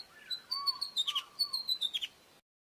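An osprey gives a quick run of about a dozen high, clear, whistled chirps over two seconds, each note slightly falling, with a softer lower tone beneath.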